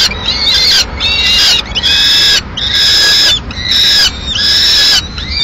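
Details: Mid-morning meal at a peregrine falcon nest in Madrid, the female bringing part of a pigeon; long, clear, whistled wails, each about half a second, repeat at a steady pace of a little more than one per second.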